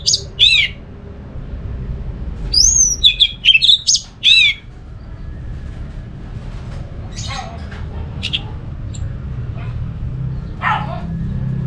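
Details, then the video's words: Orange-headed thrush song, played as a lure to set other thrushes singing: a burst of loud, sharply rising and falling whistled phrases over the first four seconds, then faint scattered notes over a steady low hum. "Suara burung ANIS MERAH ini ampuh bikin ANIS Jenis apapun ikut bunyi"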